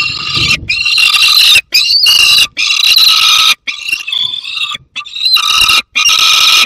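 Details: Young peregrine falcon with prey near a second falcon, Barycz Valley, 30 August 2022: near-continuous harsh, wavering screeching broken by short pauses, with some low rumbling noise at the start.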